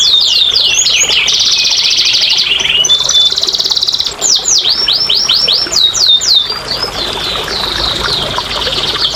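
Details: A canary's song serving as bait and therapy for lazy birds that rarely sing; dense rolling trills and sustained buzzy notes, then bursts of sharp downward-sweeping chips, with a brief pause midway.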